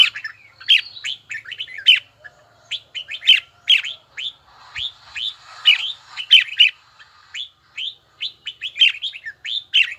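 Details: Long, steady bell-tone singing by a red-whiskered bulbul in voice training: dense, rhythmic bursts of sharp downslurred whistles repeating through ten seconds with only short breaks.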